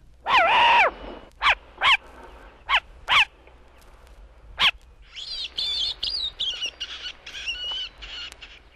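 Short-eared Owl: one long raspy, wheezy bark, then five short sharp barks over four seconds, then a run of higher nasal, yelping notes.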